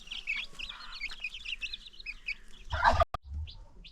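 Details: Baby chicks with free-range chickens on a farm give a rapid run of high peeps, then a loud knock and a thud break in near the end.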